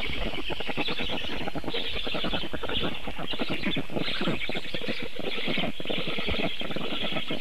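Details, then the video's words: Black stork chicks begging at their nest in Vidzeme, Ogre municipality, Latvia, dated 23-6-24, as their father brings breakfast: a steady, rapid train of harsh rasping pulses, loud and unbroken throughout, with no other clear sounds. "СНІДАНОК ВІД ТАТА. ЛЕЛЕКА ЧОРНИЙ. ГНІЗДО."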